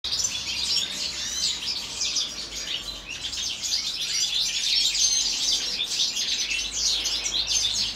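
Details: European goldfinches singing together in a winter aviary. A dense, unbroken chorus of bright twittering, with overlapping tinkling trills and quick rising and falling notes high in pitch throughout. No other sounds stand out.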